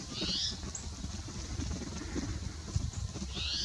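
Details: Spotted towhee at Prince Edward Point National Wildlife Area, Prince Edward County, Ontario, on 20 November 2019. Two high, buzzy, downslurred mewing calls come at the start and end, over steady low rumble.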